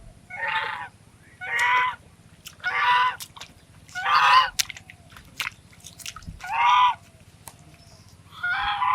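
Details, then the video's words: A swan gives six nasal, honking calls, each about half a second long, spaced roughly every one to two seconds, over a low background hum. "Swan Chirping | Natural Swan Sounds | Swan Calling Sounds"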